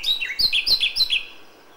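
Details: Common nightingale singing at dawn in May: a short phrase of descending whistled notes repeated about every quarter second, bright and clear over a quiet background.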